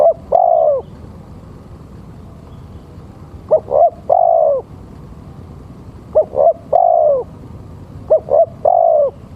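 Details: Male spotted dove calling, used as a lure for trapping birds: four phrases of two short clipped coos followed by a longer, drawn-out, down-slurring coo, repeated roughly every two to three seconds over a steady low background hum.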